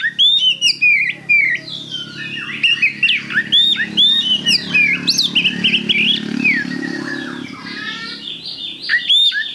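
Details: Oriental magpie-robin singing as a trigger for other birds: dense, harsh chattering mixed with squawky notes and clear whistles, in many quick overlapping phrases with a constant low background hum.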